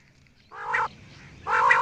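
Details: Two rough, nasal croaks from a quail, each lasting about a third of a second, separated by a second of quiet hiss.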